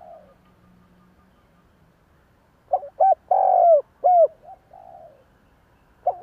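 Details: Spotted Dove coo, used to provoke other doves into cooing in reply: a faint opening note, then after a pause a loud phrase of short coos, one long downslurred coo, and softer trailing notes.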